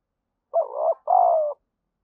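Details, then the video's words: Spotted dove's lure calling and cooing, used to stimulate other doves to answer. A soft low two-part coo: a short wavering note, a brief pause, then a longer steady falling coo, with no other sounds. "chim cu gáy mồi gáy thúc và gù"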